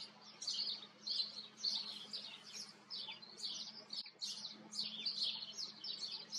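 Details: Common kestrel in the Eifel, Germany: rapid bursts of shrill, harsh, rasping notes repeated several times per second, with brief pauses between bursts and no other clear sounds.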